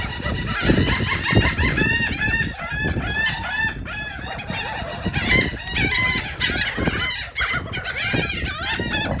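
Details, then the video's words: A crowd of seagulls feeding on cake in Atlantic City, New Jersey, calling nonstop with shrill, quavering squeals in overlapping bursts over steady low background rumble. "Seagulls are eating Cake"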